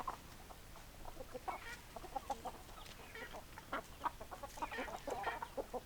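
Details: Several chickens, hens and roosters, cluck in short bursts, some louder sharp notes standing out over a softer murmur of the flock.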